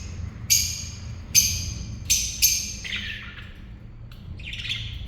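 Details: Pet lovebirds at the dinner table give a run of four sharp, shrill, rasping squawks in about two seconds, followed by softer, lower chattering chirps, with a faint indoor hum beneath.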